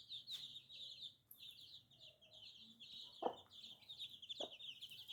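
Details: Baby chicks peeping in a dense chorus of short, high chirps that run almost without a break. Two sharp knocks or taps are heard near the end.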